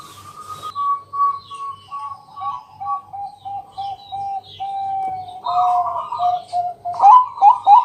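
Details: Local zebra dove lure song recorded at night to coax other doves into singing. Rapid repeated soft coos step down from a higher to a lower note, then break into fuller, rolling phrases, with faint chirps behind.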